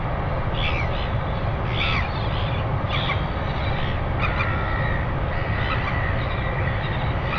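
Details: Northern royal albatross (Diomedea sanfordi) at a nest-watch camera on 25 December 2019 at 5:57 a.m. gives harsh, croaking calls in short bursts about once a second, over a steady roar of wind.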